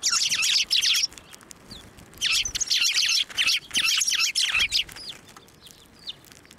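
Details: Group of sparrows flying onto an outstretched hand for food at a Tenmangu shrine in March 2024: busy, high chirping in rapid runs, fading to a few scattered notes near the end.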